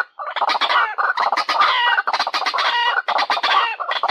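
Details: White-breasted waterhen calling to lure birds: grating, clucking croaks strung in rapid rhythmic bursts separated by short gaps.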